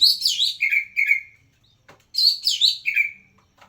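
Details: Kacer singing hard while looking for a rival. Rich warbled phrases end in long, falling whistled slurs, with two similar bursts separated by a brief silence.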